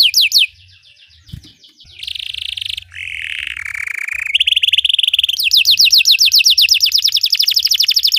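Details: Belgian canary singing for canary training, a varied song of fast descending trills, dense buzzy rolls and a sliding whistled note, all high-pitched, with brief pauses between phrases.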